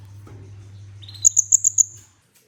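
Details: Olive-backed sunbird (kolibri ninja) song used as a training lure to stimulate other birds: a low note, then a quick run of five sharp, very high piercing notes in about half a second, over a steady low electrical hum.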